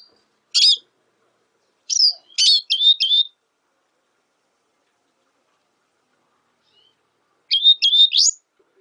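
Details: Black siskin song: short bursts of high, sharp chirps and rapid trills with twittering notes, given in three clusters separated by pauses, over a silent background.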